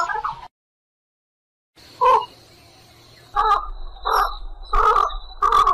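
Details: White egret calling to its flock: after a silent gap, four harsh, hoarse croaks with a nasal buzz, spaced roughly every half second to second, plus a faint steady high tone in the background.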